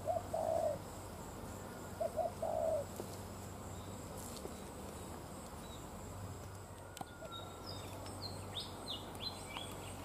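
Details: Spotted dove cooing on a sunny day during trapping with a lure bird: two low phrases of quick short notes ending in a longer coo, followed by high chirps from other small birds and rural background noise.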